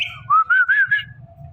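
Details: Rose-ringed parakeet kept as a talking pet whistles a quick phrase of three or four wavy, undulating notes over a faint steady hum.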